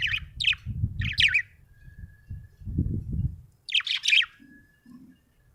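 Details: Happy budgerigar chirping: quick pairs and trios of bright, buzzy chirps, a faint thin whistle between them, over a low rumble of room noise.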